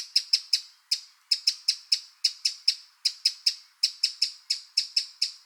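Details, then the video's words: Eurasian wren recorded in the wild: sharp, dry ticking notes, high and clipped, given singly or in quick clusters of two to four with short pauses, about 77 per minute; no other sounds. "Eurasian Wren Sound – Song & Bird Calls"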